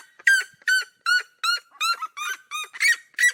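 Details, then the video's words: Cerrado seriema pair singing in duet: strong, evenly spaced yelping notes, each a short bent bark, repeated about two and a half times per second with a rising tone at times. "CHAMADO E CANTO EM DUETO DA SERIEMA"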